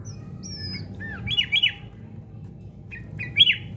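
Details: Sooty-headed bulbul in fighting-spirit training: a thin high whistle, a slurred downward note, then two loud bubbly chirping bursts a second apart and another pair near the end, over a quiet low hum.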